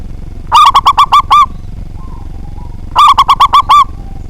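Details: A strong-voiced local zebra dove in good song, used as a lure to make rivals answer. Twice it gives a fast run of six resonant, mellow coos, the final note longer, with a short pause between runs.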